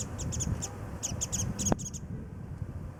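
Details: Warbling white-eyes feeding on early cherry blossom nectar at Kitago Station, Nichinan, Miyazaki, Japan, calling as they fly about; a quick run of high, sharp chipping notes for two seconds, then quiet, with one low thump.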